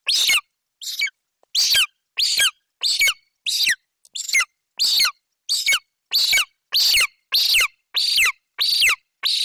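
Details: Golden eagle chick at a Bucovina nest, 28 July 2021, loudly vocalizing after its mother delivers a magpie as prey; close, piercing screams repeated steadily, around fifteen sharp calls, each short and strident with brief pauses between.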